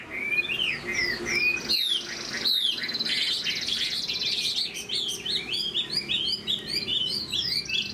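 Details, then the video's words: Caged Chinese hwamei, moulting, a large bird singing in the high 'cao cầu' style: rapid run of loud whistled notes, many sweeping up or down, some buzzy trills, with a short break near two seconds, continuing in varied phrases. "Chim họa mi đang thay lông, bộ to đẹp, hót cao cầu"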